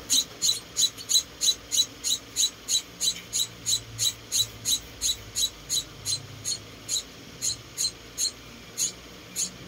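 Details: Rescued munia chicks, four young birds being hand-fed indoors: high, thin, squeaky cheeps repeated steadily about three times a second, each note sharp and bright, continuing without pause throughout, with only faint low room hum beneath.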